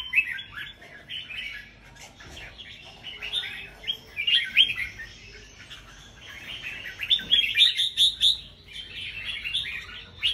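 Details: Several red-whiskered bulbuls sing against one another at a caged song contest: bright, chattering, warbled phrases rising and falling, repeating almost without pause.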